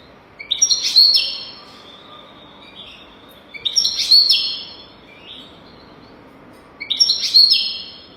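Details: European goldfinch song used to teach young goldfinches to sing: three bright twittering bursts high in pitch, each about a second long with buzzy trills, spaced roughly three seconds apart over quiet background.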